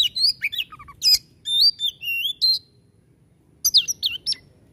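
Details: Oriental magpie-robin (kacer) in energetic 'tembakan' shooting-style song, used to spur sluggish magpie-robins into singing: rich, varied whistled phrases, sweeping up and down with sharp chips and buzzy notes, in two bursts split by a pause of about a second.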